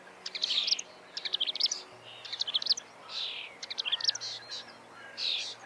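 A reed warbler sings fast, chattering bursts of high, scratchy notes, each phrase a quick jumble of repeated and changing sounds, with short pauses between. A faint low hum lies underneath.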